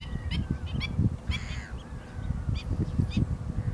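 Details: Black-winged stilt giving a few short, sharp, nasal notes with stacked overtones, scattered across a few seconds, over strong low wind rumble.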